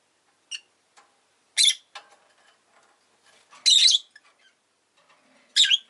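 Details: Harsh, grating chirps from a pet rosy-faced lovebird: a small tick, then three loud, broad, rasping calls about two seconds apart, with faint scattered clicks in between.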